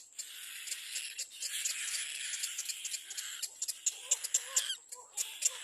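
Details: A Little black cormorant chick in the nest gives a continuous high, wheezy, hissing cry on seeing another bird coming to the nest, breaking into rapid squeaky, sliding notes toward the end.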